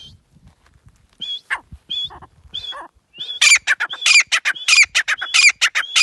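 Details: Grey francolin, known locally as teetar, calling: harsh squawking notes at first, then a loud rapid series of repeated sharp, high metallic notes, about ninety-four per minute.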